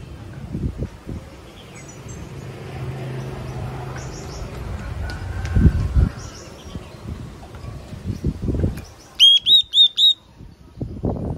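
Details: After several seconds of rustling and low thumping noise, a yellow-cheeked tit gives four loud, evenly spaced, high whistled notes in quick succession.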